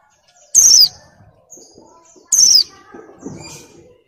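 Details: A moulting female Oriental white-eye in breeding condition calls to attract males: two clear, piercing, high whistles falling in pitch, nearly two seconds apart, followed by softer, scattered lower chirps.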